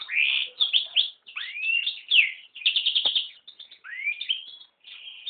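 A yellow-rumped serin and canary hybrid sings a fast, unbroken canary-like song of high slurred rising whistles, quick chirps and short buzzy trills. No other sounds.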